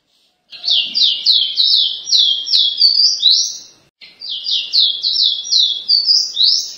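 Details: Caboclinho, or capped seedeater, delivers two paraense-style phrases in a row, each a rapid string of bright descending whistles ending on an upswept note, with a short pause between them.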